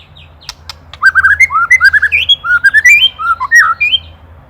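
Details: White-rumped shama master song for songbird training: after a few clicks, a rapid string of rich whistled and slurred notes, varied in pitch and delivered in quick succession for about three seconds.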